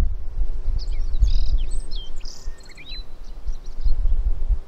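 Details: Male black-faced bunting singing at the Kitafuji training area, Japan, on 20 July 2015: quick, varied phrases of high chirps, short trills and rising and falling whistled slurs, delivered in bursts, over low rumbling wind noise.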